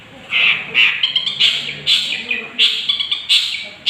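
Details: Young long-tailed shrike, sung as a provoking lure for other birds: separate loud rasping, squawky notes with bright clicks, spaced irregularly about half a second apart.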